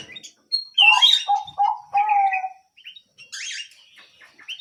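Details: Canary in vigorous song, mixing clear lower whistled notes with buzzy higher chirps in quick, varied phrases separated by short pauses.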